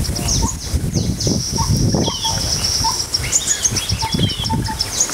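Green-tailed sunbird giving thin, high chips and short sharp twitters in quick succession, with a few lower whistled notes, over steady low wind rumble.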